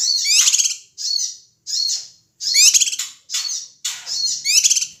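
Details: Ashy tailorbird calling excitedly, played to rouse other birds: repeated harsh, high, rattling bursts, seven phrases in five seconds with barely a pause between.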